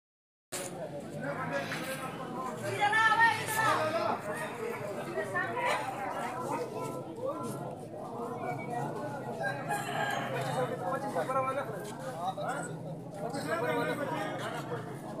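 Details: Aseel roosters at a rooster market in Rawalpindi crow in drawn-out, ringing phrases over a steady murmur of human voices.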